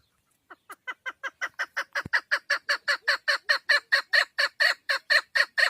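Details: Female chukar partridge calling: a series that begins quietly and swells into over twenty loud, gravelly chuck notes repeated about twice a second, with one sharp click early on.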